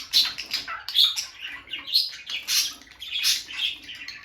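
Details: Bonded pair of peach-faced lovebirds, female visiting nest box, chatter in rapid, shrill, overlapping chirps and squeaks, bursts every half second or so in a small room.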